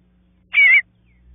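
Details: A young bluebird waiting for its parents; one loud, quarter-second rasping call with a slightly wavering, falling tone, set against near silence.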